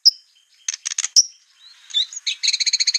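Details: White-rumped shama competition 'tembakan' master for copying: a sharp high note, a quick rattling triplet, soft twitters, then a steady fast trill of about ten repeated buzzy notes.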